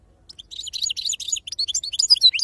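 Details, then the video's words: Goldfinch performing authentic wild khalwi sarfati song: a continuous tumble of high, liquid twitters and short slurred notes, quickly varied and tightly packed, with no other sounds. "أفضل تغريد بندوق حسون خلوي أصيل الله يبارك لصحابو ما شاء الله لغه خلوي أصيل سرفاتي"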